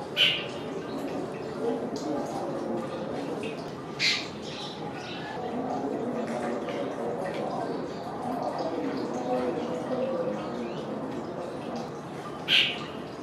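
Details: Jungle babblers (Argya striata) keep up a harsh, nasal chattering throughout, broken by three loud, rasping squawks near the start, middle and end.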